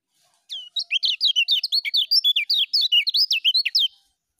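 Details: A lemon-bellied white-eye sings a full ngejos phrase meant as a training recording: roughly twenty quick, chattering notes that sweep up and down, poured out continuously for over three seconds in clean silence.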